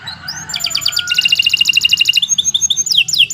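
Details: Canary singing a long training song: a soft opening, then a rapid trill of bright repeated notes for well over a second, ending in a few sharp descending whistles, with a steady low background hum.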